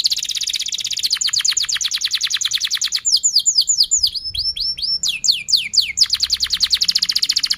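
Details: Canary song used to stimulate other canaries to sing: long rapid trills of repeated high notes, then a run of quick descending swooping whistles and a final fast rolling trill, loud and continuous.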